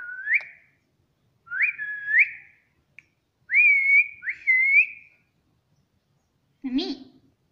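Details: Pet Indian ringneck parakeet talking, saying 'mummy' and 'papa': clear whistle-like two-part phrases with rising starts, repeated four times with pauses, followed by a short lower, harsher note at the end in a quiet room.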